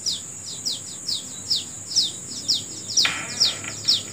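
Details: Morning birdsong of quick downward-slurred chirps given about twice per second, fairly evenly spaced, with a brief rustling burst midway and a steady high hiss running throughout.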